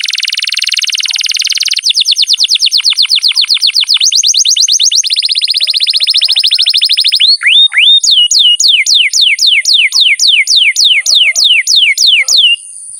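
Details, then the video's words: Canary singing a long masteran tutor song for silent young birds: a loud buzzy roll, then a rapid series of rising-falling sweeping whistles, a second buzzy trill, and a slower train of downward-swooping whistles. "MASTERAN KENARI GACOR PANJANG"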